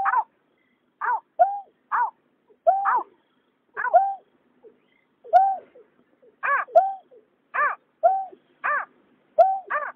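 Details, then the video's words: Male and female water rail calling in 2021 for night trapping of migrants: a run of about twenty short arched harmonic notes and steady lower notes, given in quick alternating pairs, with quiet gaps. "Tiếng nhát hoa, cà cuốc trống mái"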